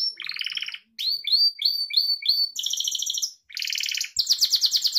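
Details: Song of a pet Gloster canary, recorded as a training model for canaries. It opens with a buzzy trill, then gives a row of sharp rising whistled notes, followed by bright rapid rolls and a rattling trill that ends in pulsed chips.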